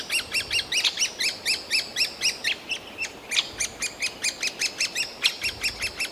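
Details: Great spotted woodpecker nestlings, nearly fledged, beg nonstop from the tree hole with shrill, squeaky chirps, about four each second, overlapping into an insistent high chorus that urges the parents to bring food; recorded in a Yekaterinburg forest park on 28 June 2018.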